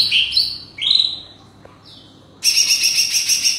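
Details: Leafbird calling to challenge wild forest birds: high whistled phrases sliding between notes, a pause, then a dense burst of rapid chattering notes over faint background hiss.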